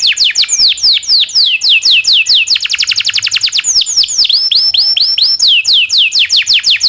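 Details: Local canary singing a long, rolling song used as a tutor for white-rumped shamas, magpie-robins and other songbirds: rapid runs of high, downward-sweeping whistled notes, speeding into fast trills, then slower looping upslurred notes, loud and continuous.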